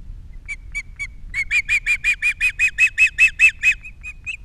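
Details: Osprey at the Captiva nest, three chicks, 21 February 2022, captured by nest camera: a few hesitant chirps, then a quickening series of a dozen loud, high whistled notes that fade into scattered final calls.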